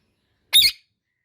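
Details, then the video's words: One brief, rough, high-pitched squawk from an Indian ringneck parakeet, abrupt onset and quick fade, in an otherwise silent setting. "Indian Ringneck Parrot Natural Sounds"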